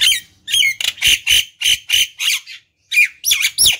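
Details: Loud Nias hill myna song used as a lure for other birds: a run of harsh, rasping squawks about every quarter second, a brief silence, then several sweeping whistled notes.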